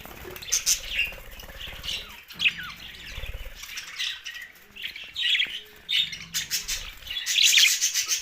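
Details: Group of pet budgerigars chattering together: dense, overlapping warbled chirps and squeaky notes, with short bright bursts and quick downward slides, continuous throughout with louder peaks near the end.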